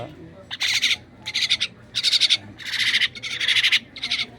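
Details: Feeding-time calls of a captive myna: six loud, buzzy, rattling bursts, each under half a second, repeated at an uneven pace.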